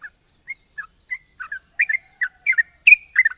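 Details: Champion sooty-headed bulbul beginning its ropel song of long, sharp trills: sparse short whistles that quicken and grow louder toward the end, with a faint steady high-pitched tone throughout.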